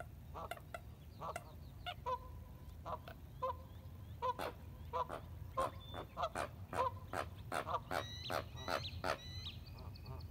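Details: Ducks calling on the Colorado River at Lake Havasu, Needles, California, at sunrise, 6:16 AM on April 12, 2021, via iPhone 7. A long run of honking quacks, some drawn out, over water noise, with a thin high bird call near the end.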